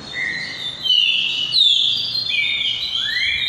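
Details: Green-winged saltator in repeating song style, giving overlapping long whistled notes, some level and one sweeping upward at the end, with faint low rumble beneath.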